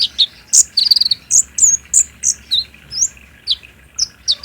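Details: Lure song of a greenish spotted olive-backed sunbird kept in captivity, played by day to provoke singing. A quick stuttering trill, then clear high chirped notes repeated roughly every third of a second.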